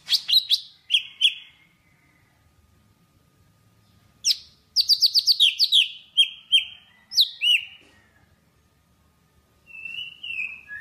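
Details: Java sparrow singing to call the flock: bursts of sharp chirps and a rapid run of clipped notes, separated by a quiet pause, followed by a few longer ringing tones and a softer trailing phrase.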